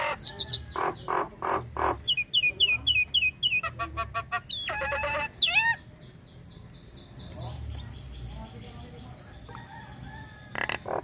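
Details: A female Nias hill myna calls to the male while in breeding condition. Loud sharp notes and a harsh burst give way to quieter drawn-out whistles, with faint background noise.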